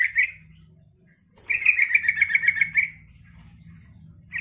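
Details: Yellow-vented bulbul song meant to provoke other bulbuls into replying: a bubbling, rapid phrase of repeated notes lasting about a second and a half, with a shorter burst at the start and another at the end, over a low hum.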